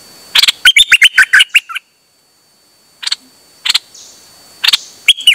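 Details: Dok Taeng bird singing on 8 September 2023: a fast run of about a dozen crisp chirps, then silence, followed by scattered single notes and a final short phrase.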